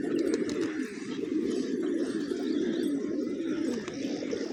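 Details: Hungry pigeons feeding on grains on a village morning, producing a dense, pulsing low coo chorus of overlapping calls, with faint higher chirps.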